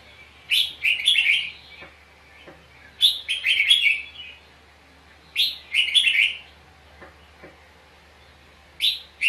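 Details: Red-whiskered bulbul duel singing, used as a decoy bird sound in trapping, with fighting. Three loud, chattering whistled phrases of five or six rapid notes each, separated by gaps of about two seconds, plus a faint tick or two.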